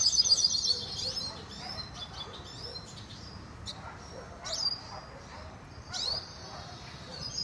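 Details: Hooded siskin song: high, thin twittering bursts and short whistled notes, loudest in the opening second, then scattered chirps separated by quieter gaps over a low background hum.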